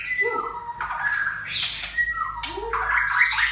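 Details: White-rumped shama of the Aceh type giving quick harsh squawky notes mixed with short downslurred whistles and buzzy bursts, delivered fast and close with little pause.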